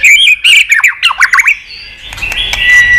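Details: White-rumped shama song with many voices, a rapid run of chattering, warbled notes for about a second and a half, then softer drawn-out whistles over faint background hiss.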